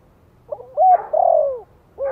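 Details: Spotted dove's soft 'Thổ'-voice lure call for stirring newly kept wild birds: a faint opening note, a bright hooked coo, then a drawn-out wavering coo sliding downward, and the start of another coo.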